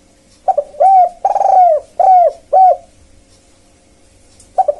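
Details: Spotted dove luring wild birds with its kuk-kuk call, a series of hollow coos with one long vibrating coo in the middle, then silence and a fresh start.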